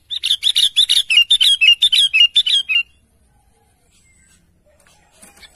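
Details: Sooty-headed bulbul calling to its companions: rapid, even train of about fourteen liquid chirps that step gently downward, then stops, leaving faint background rustling.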